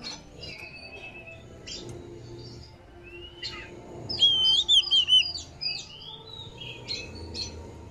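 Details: Oriental magpie-robin song used to make a kept bird spread its tail and launch into chattering: soft chips and twitters build to a loud run of clear, looping whistled phrases mid-clip, then lighter chirps over low background hum.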